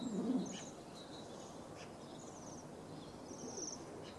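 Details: Bohemian waxwings, winter visitors feeding on berry bushes in Julianadorp, the Netherlands, on 6 February 2015. High, thin trilled notes come repeatedly, faint against low rumbling background noise.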